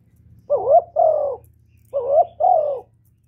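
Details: Spotted dove cooing repeatedly to attract other doves: two paired phrases about a second and a half apart, each a short rising coo and a longer falling one, with a low hum behind.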